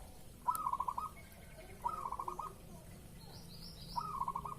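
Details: Zebra dove cooing in breeding mood, played as a lure sound to provoke a response: three rippling coo phrases of rapid stuttered notes, spaced about two seconds apart, with soft high chirps from other birds.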